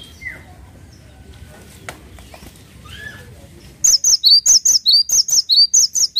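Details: Cinereous tit singing vigorously: after quiet background, a fast run of paired whistled notes, each a high note dropping to a lower slurred one, repeated about twice per second for over two seconds.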